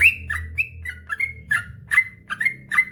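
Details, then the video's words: Yellow-vented bulbul singing in a rapid run, used to rouse lazy birds into singing: a handful of clear slurred notes, several falling away, over a noticeable low background rumble. "suara burung trucukan gacor ropel panjang"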